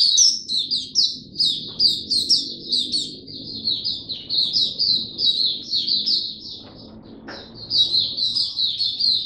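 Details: Caged white-eye in full song display, pouring out quick, high, jumbled twittering notes in long streams, with one brief pause partway through and quiet low background rumble.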